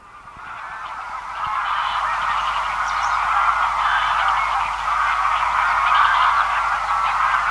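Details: A distant, large feeding flock of Greylag Geese keeps up a steady, overlapping chorus of nasal honks and cackles, about three a second, forming a continuous murmur; swallows and a White Wagtail are also in the recording.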